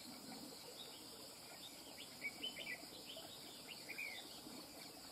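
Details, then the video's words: Quick run of sharp, warbled whistles from a wild-caught red-whiskered bulbul in the middle seconds, rising and falling, over an unbroken high insect drone. "Chào mào BỔI VIP CHÉ | SIÊU CẦU CHẠY NHƯ MÁY | CẦU CÁNH MỎ CỰC HAY"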